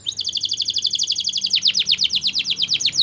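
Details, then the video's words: Spanish Timbrado canary training song: a fast steady trill of short notes, shifting into steeper downward sweeps repeated several times a second, over faint background hiss. "Canary's Most Powerful Song For Training"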